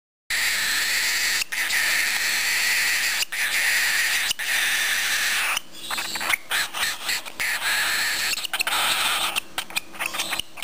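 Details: Hungry one-month-old captive cockatiel chick crying for food before a meal of hand-rearing formula: a continuous harsh, hissing rasp held for seconds, then broken into rapid choppy pulses near the end.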